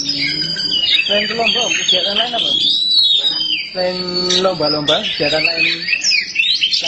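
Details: Black Oriental magpie-robin in lively song: long high whistled notes and sliding phrases over a strong, clearly audible male voice speaking throughout.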